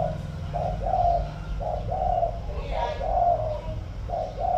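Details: Spotted dove kept as a decoy bird, with a cooing voice of the "thổ" style: soft, low hooting notes in short phrases of two or three, repeating with brief pauses over a steady low hum.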